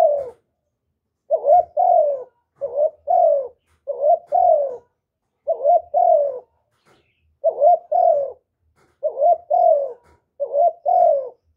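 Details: Spotted dove coos for luring birds: a long series of paired phrases, a short bent note followed by a mellow falling coo, repeated about nine times at an even pace in a quiet setting.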